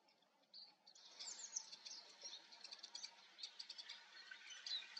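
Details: Eurasian siskin (Spinus spinus) giving thin, high twittering chirps in quick irregular bursts after a quiet first second, with faint background hiss.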